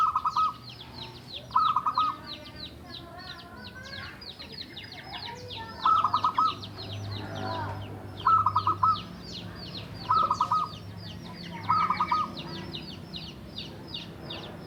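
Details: Local wild Javan zebra dove, kept seven years, singing to prompt reluctant or newly bought doves: short bursts of quick trilled coos repeated every two seconds over dense high insect-like chirping and low background hum.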